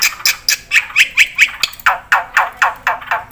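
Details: Energetic black-winged myna song used as a tutor and lure recording: a steady series of harsh, clipped notes about four per second, some with buzzy whistled tones in the middle, ending in rough descending rasps.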